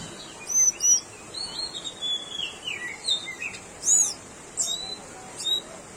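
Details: Tickell's blue flycatcher: clear, high whistles followed by a sliding series of notes stepping down in pitch, then short bright chirps spaced about a second apart, over constant faint hiss.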